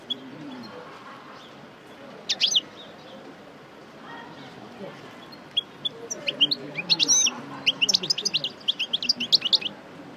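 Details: European goldfinch of the parva form, a coupleur bird just out of moult, going over its song again: scattered high twittered notes early, then a dense run of rapid tinkling, chattering phrases over a steady background hiss.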